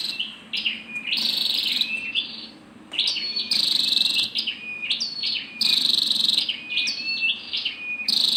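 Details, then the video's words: Female scarlet-backed flowerpecker calling: sharp, high ticking notes and short buzzy bursts near 4k, with thin steady whistles lower down, given in irregular clusters separated by brief pauses. "Tiếng chim sâu đầu đỏ mái"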